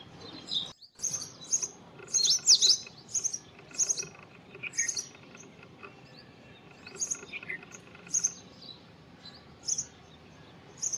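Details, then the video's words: Indian robin, a bird of open scrub in the Indian subcontinent, singing: short high chirped and whistled phrases with quick downslurs, given in bursts with pauses between, over a steady faint background hum. "Indian Robin Singing Songs / Indian Robin Call Vocals / Indian Robin Bird Call Song"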